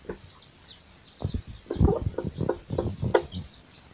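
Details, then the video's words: Mother hen foraging with her chicks: a dense, rhythmic series of low, throaty clucks builds after one second and continues to the end. Thin, high chick peeps sound faintly throughout. "SUARA ANAK AYAM DAN INDUKNYA SEDANG MENCARI MAKAN | The sound of a chick and its mother"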